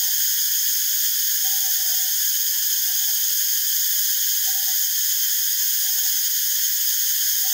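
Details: Northern boobook (Ninox japonica totogo) foraging and preening: soft, low hooting notes, some short and some drawn out, repeat about once a second. A loud, steady, high-pitched buzzing drone covers everything.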